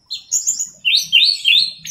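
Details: Caged Orange-headed Thrush song; quick run of sweet whistled and slurred notes, rising and falling, in short connected bursts, faint low murmuring behind.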